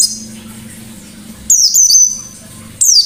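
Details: White-eye singing in 'ngalas' style: a short burst of high, slurred descending notes followed by a thin sustained whistle, then another sharp downward note after a pause, with faint low hum underneath.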